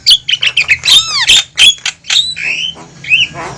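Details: Javan myna call for luring wild birds into a trap: quick harsh squawks, then sweeping arched whistles and drawn-out buzzy whistled notes over a faint low hum.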